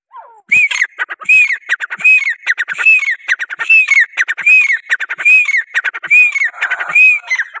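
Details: Desi teetar, or grey francolin, delivering a steady series of loud phrases: a clear arched whistle then a scratchy chattering rattle, repeated roughly every three-quarters of a second throughout.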